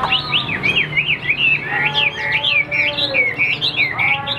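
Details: Chinese hwamei singing solo, its female held far away and unseen: a rapid, varied stream of slurred whistles sweeping up and down, rich and continuous.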